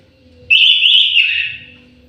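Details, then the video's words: A short, clear whistled phrase from a captive orange-headed thrush in an aviary: a bright steady note that bends downward after about a second and trails off quietly. "KICAU MERDU BURUNG ANIS MERAH"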